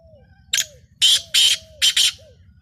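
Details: Rare Lakka nasal black francolin, known locally as kala teetar, calling a rasping five-note phrase: a lone short note followed by two quick pairs of loud, broad, scratchy notes, with faint low whistles in the gaps.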